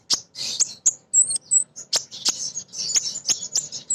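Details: Female crimson sunbird giving vigorous calls meant to attract males and set other birds singing: a dense, almost continuous run of piercing high chips and thin trilled notes, with one clear high whistle near the start.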